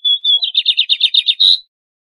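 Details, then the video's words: Double-collared seedeater (bigodinho) from a breeder singing a quick high phrase: two clear whistles, then about eight rapid buzzy notes, ending in a harsher trill. "O MELHOR CANTO DO BIGODINHO!"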